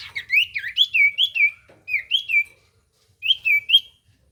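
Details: Vigorous singing from a common iora, offered as a lure to make a silent iora respond: rapid chains of sweet undulating whistles, rising and dipping, delivered in three short phrases with brief pauses.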